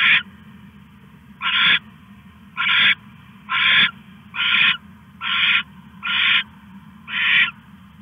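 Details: At night on August 21, 2015, around 1:41 AM, an owl stashes a rat while giving rough, hissing screech bursts, eight in a row spaced under a second apart, with a low steady hum underneath.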